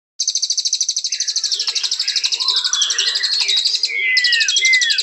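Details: White-rumped shama song: a fast, even buzzy trill at high pitch, then lower slurred notes and bright whistles that dip at the end.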